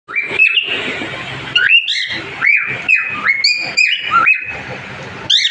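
A cockatiel sings a run of bright, clear whistles, each note sliding up or down in a lively pattern.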